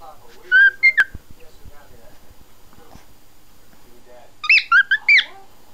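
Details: Cockatiel kept as a pet, singing to a puppy: two short bursts of bright whistled slurs, one at the start and one near the end, separated by a quieter stretch with faint clicks and soft murmuring.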